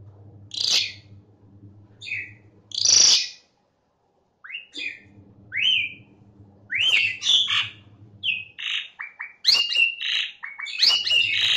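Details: Asian pied starling singing in a training recording for caged birds: scattered squeaks and upslurred whistles, a brief pause, then a livelier run of varied whistles, harsh notes and chatters, with a steady low hum beneath much of it.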